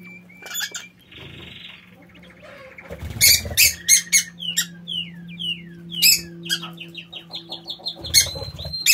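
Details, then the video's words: Lovebirds, a favourite pair of aviary birds, chatter in quick bursts of shrill, sharp squeaks and short rising chirps over a low steady background hum. "Inseparabili pappagalli"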